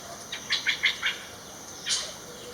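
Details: Puff-throated babbler in a garden in western Thailand, a species that calls loudly especially in the morning, giving four quick, chirpy notes in about a second, then a harsher, broader note after a pause, over a steady high insect-like hum.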